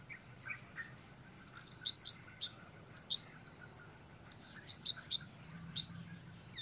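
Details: Single blue-crowned hanging parrot singing solo against the weather, giving two clusters of very high, shrill squeaky chirps and brief trills separated by a pause, each cluster of five or six sharp notes, over a quiet low background hum.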